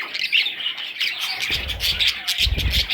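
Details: Budgerigar chicks give rapid, overlapping high squeaks and rasping chirps, with soft low bumps in the second half.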